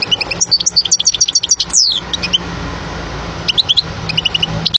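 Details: European goldfinch song meant for teaching young birds: bursts of fast repeated chips and one long descending whistle, then sparser twitters over a steady background hiss.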